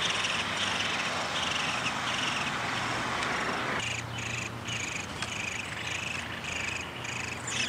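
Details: Downy woodpecker at a nest, feeding, 20 May 2021. Loud noisy hiss at first, then a string of short raspy high-pitched bursts roughly twice a second, with low hum underneath.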